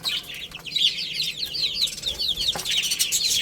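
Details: Several baby chickens playing and eating, giving a quick run of bright, high chirps, each slurring downward, closely spaced, with one sharp knock near the end.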